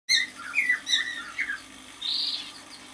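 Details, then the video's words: A six-month-old male cockatiel sings a quick run of bright rising and falling whistles, several short phrases in three seconds, ending in a harsher buzzy note. "Песенка КОРЕЛЛЫ-НИМФЫ"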